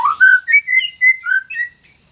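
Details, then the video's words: White-rumped shama singing, meant to coax a silent shama into song: a lively string of about eight whistled notes, rising and falling, fading at the end. "MASTERAN MURAI BATU GACOR - TERAPI MURAI BATU MACET BUNYI"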